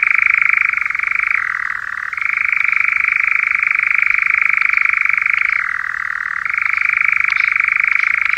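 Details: Song of a paired male nightjar, a continuous rapid churr that switches between a higher and a slightly lower pitch twice, each lower stretch lasting under a second before the higher churr resumes.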